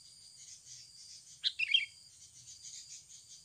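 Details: Sooty-headed bulbul, natural recording used to lure wild birds: one brief phrase of sharp chirps mid-clip, set against continuous cricket-like buzzing and faint low rumble.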